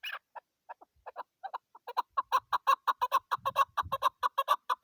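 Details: A female chakor (chukar partridge) gives a series of clucking chuk notes that speed up into a rapid, steady chatter of about two notes per second, with faint background rustling.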